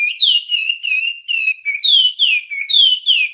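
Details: Wambie master song: clear whistled notes, each sliding downward, repeated a little more than once per second in a steady, slurred sequence. Used as a training recording for songbirds, with no other sounds.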